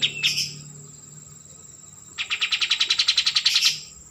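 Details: Kapas tembak, the white-eared bulbul, gives a couple of short high chirps, then after a pause a rapid trill of around fifteen clipped notes that rises slightly in pitch before ending.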